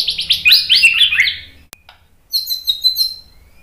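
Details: White-rumped shama song for training: a fast burst of rich warbling notes, a sharp click, silence, then a few high, clear whistled notes.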